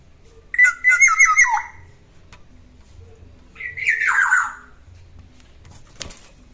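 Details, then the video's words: Two grating, descending nasal phrases from a ten-year-old black-naped oriole that still sings keenly, the first stuttered and broken, the second a smoother downward sweep, then a click. "Burung kepodang emas umur 10 tahun tetap gacor"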